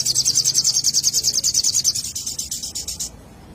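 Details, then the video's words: Little spiderhunter song used to lure birds: a rapid, even trill of high, sharp notes, about three per second-fraction, running steadily for three seconds before stopping abruptly, over a faint low hum. "pancingan burung sogon"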